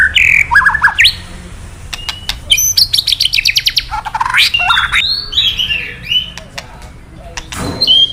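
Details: Male White-rumped shama provoked by recorded calls into singing its varied fill-in song: rapid trilled rattles, sweeping whistles and sharp high chirps, loud and fast with irregular bursts, low hum beneath.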